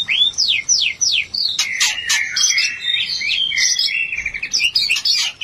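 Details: Mating sound of a White-rumped shama, used to lift breeding urge. Several quick downslurred whistles, then dense chattering and sharp high notes in a busy, fast-paced phrase.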